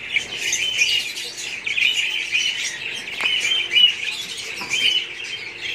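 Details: Dense twittering of many budgerigars, quick high chirps and scratchy warbled notes running continuously with a couple of faint clicks.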